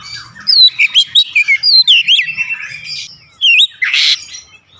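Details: Oriental magpie-robin (kacer) singing in the vigorous, open 'gacor ngeplong' style used as a lure: rapid run of high whistled notes and sweeping slurs, then a louder burst near the end.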